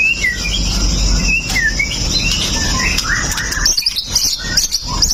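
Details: Fierce pastol white-rumped shama singing to stir other males into song, recorded on a Xiaomi Note 8 Pro. Scattered whistled notes and short slurred phrases, ending in high twittering, over a constant low hum.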